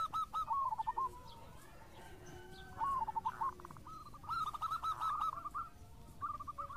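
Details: Local zebra dove lure song in a noisy setting: short bursts of rolling coo notes with quiet gaps, the phrases returning several times.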